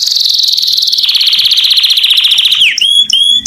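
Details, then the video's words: Singing canary courting females, loud continuous rattling trill slowly falling in pitch, broken by a sharp downward slur and brief rising whistles at the end. "The strongest canary twitter to hear and irritate females to mate"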